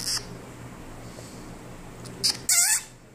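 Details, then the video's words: Cactus parakeet chick calling indoors: a few brief harsh high hissing bursts, the last one longer and buzzy with a short rasping tail, over a steady low hum. "Filhote de periquito da caatinga"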